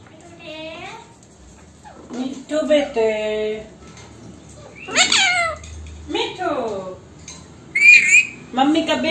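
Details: Female Alexandrine talking parrot kept indoors as a pet, speaking Hindi and saying "Mitthu beta": several harmonic, speech-like syllables with pauses between them, then a sharp high squawk near the end.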